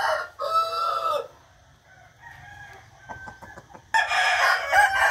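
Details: Roosters crow at dawn on 8 April 2021: a clear drawn-out crow opens, quiet clucks and pecking follow, then a second louder, rougher crow breaks in at the end.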